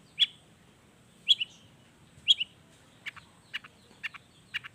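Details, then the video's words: Long-tailed shrike, natural-style song used as a lure to prompt other shrikes to sing: three sharp high chips about a second apart, then softer paired buzzy notes repeated roughly every half second, over faint low background hum. "SUARA CENDET GACOR ISIAN ALAM || ANTI GAGAL efektif bikin cendet malaspun langsung ikutan bunyi"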